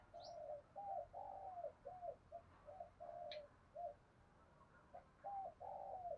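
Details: Spotted dove decoy call in the 'thổ' voice, meant to call in other doves. Soft, distant cooing phrases of short hollow notes and longer falling coos, repeated, over steady hiss and faint higher chirps.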